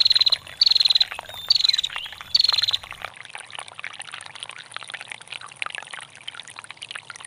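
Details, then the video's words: Four brief, high, rattling trills from a female bar-winged prinia in the first three seconds, then only gurgling, trickling water. "SUARA PRENJAK BETINA GACOR NGETIR PANJANG"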